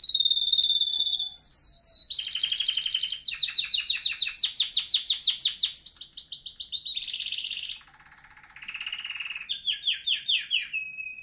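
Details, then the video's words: Canary song used for training canaries to sing: a long run of rapid trilled phrases between about 2 and 8k, tour after tour of repeated notes, some buzzy, with a low soft rattle near the end; no other sounds. "canary singing video | the best canary training song 60 minutes"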